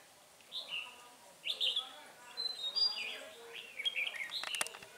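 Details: Red-whiskered bulbul trapping with a decoy to catch a spirited wild bird, 9 March 2020; three separate quick warbled phrases of slurred chirps with brief pauses between, followed by a few sharp clicks at the end.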